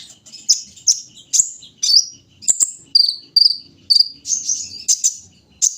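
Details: A kolibri ninja in the morning dew gives a string of separate high, slurred chirps about twice a second, some rising, some falling, with faint low background noise.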